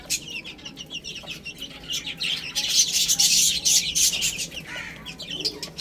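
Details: Chicks eating and playing, with fast, crowded high cheeping that swells into a loud, busy burst midway before easing off again.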